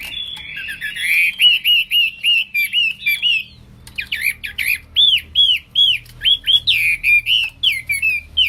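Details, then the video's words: Chinese hwamei singing loud, slurred whistled notes that rise and fall, delivered in a rapid run of about three per second with a brief pause midway. "Wambi / Hwamei Gacor"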